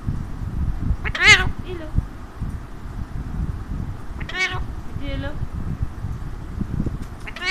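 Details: Talking pet Alexandrine parakeet on its owner's hand, uttering several loud, buzzy harmonic squawks and a nasal tonal phrase spaced a few seconds apart, low background noise throughout.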